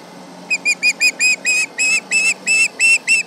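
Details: Agitated osprey at the Charlo nest, 31 July 2019 at 11 am MDT, calling at a passing tractor: a steady run of about twelve piercing whistled yelps, lengthening and growing louder, roughly three per second.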